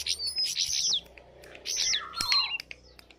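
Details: High, fast twittering from a lesser shortwing: tight clusters of piercing whistled notes, then a slurred phrase dropping lower before rising again.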